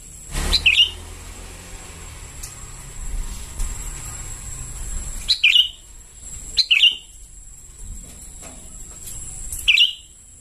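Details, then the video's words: Calling sooty-headed bulbul chicks, a lure recording: four separate bursts of quick chirps sliding down in pitch, spaced unevenly over ten seconds, with a constant thin high-pitched tone and soft low rumble behind. "Suara pancingan anakan burung kutilang memanggil"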